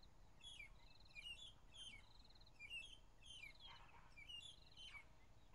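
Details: Magpie-shrike (Urolestes melanoleucus) singing on a morning drive, 15 April 2011: short buzzy pulsed trills alternating with clear sliding whistles, the phrase repeated about every second and a half over a low rumble of background noise.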